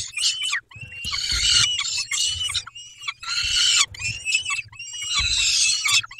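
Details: Peregrine falcons at a feeding, 11:48 on 19 May 2021, giving long, harsh, screeching wails in overlapping bursts of one to two seconds, with low bumping sounds beneath.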